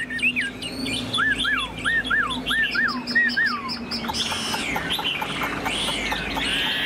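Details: Caged Chinese hwamei, a tamed bird kept as a songbird, singing a series of clear slurred whistles rising then falling, repeated about once a second, followed by rapid chattering notes; a low hum runs throughout.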